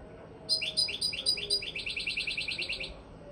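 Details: Goldfinch singing, used as a tutor song for teaching: a quick twittering run of high, bright chirps, first in separate short phrases, then a fast evenly spaced series of about a dozen notes, with faint background hiss.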